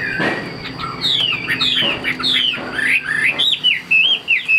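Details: Tame caged Chinese hwamei sings long, downward-sliding clear whistles that give way to quicker wavering, upturned notes, with a few soft thuds and a thin steady hum.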